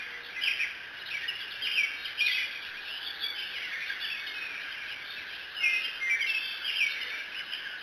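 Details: Young Bald Eagle D28 at the Decorah N2B nest, early morning 05:17, calling after looking around while eating a fish, just before sibling D27 flies in: several high, squeaky, chittering bursts over a steady hiss of insects.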